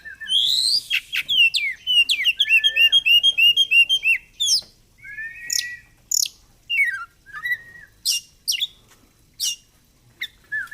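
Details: Kacer, the oriental magpie-robin, in full 'gacor fighter' song while puffing up ('ngobra'): rapid rattling series of high notes, then scattered sharp whistles and short falling slurs separated by brief pauses.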